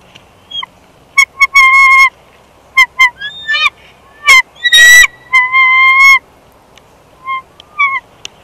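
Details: A bald eagle pair swaps places at their Big Bear Valley nest on 1 March 2021, where a second clutch was laid in February. Rapid chittering notes, short piping bursts and longer whistled tones come in irregular runs.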